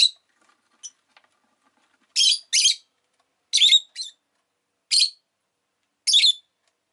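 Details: Rosy-faced lovebird, a pet parrot, uttering harsh high chirps singly and in pairs, spaced about a second apart after a quieter start, with silence between.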